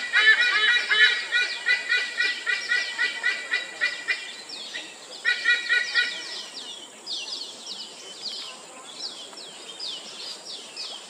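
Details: White-bellied sea eagles calling at Sungei Buloh Wetland Reserve, Singapore: loud, nasal honking notes in fast runs of several per second, then fainter ones, over a steady high insect hiss.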